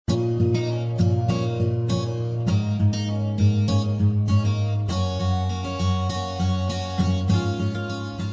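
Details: Plucked string music with steady rhythmic notes and a deep bass line throughout, and no animal sounds.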